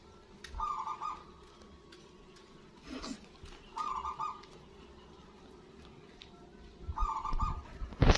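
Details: Strong-voiced local zebra dove, played to draw calls and breeding drive from other doves, repeats a quick rolling, stuttered coo three times roughly every three seconds; occasional clattering knocks and a loud thump at the end.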